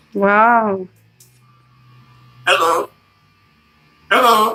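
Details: Macaw imitating speech: a long, nasal, harmonic word that rises slightly then falls, followed by two short, clipped, squawky utterances a couple of seconds apart, over a faint low hum.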